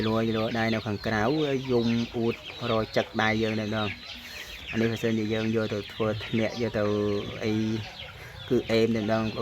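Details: Captive waterhen kept since young as a decoy, giving loud clear calls in response to its owner's hand. Strong, low, buzzy croaks in repeated runs, pausing midway, with a man's voice between.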